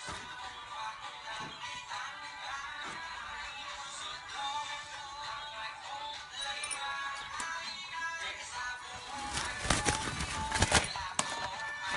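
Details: Music plays throughout, with sharp clattering knocks near the end and no animal voice.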